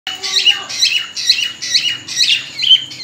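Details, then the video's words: Cockatiel ready to breed, giving its mating whistle: a steady run of sharp, bright chirping notes, about two per second, each with a quick rising and falling sweep, in a small indoor space. "Cocktail | Parrot Ready To Breeding| Matting Whistling"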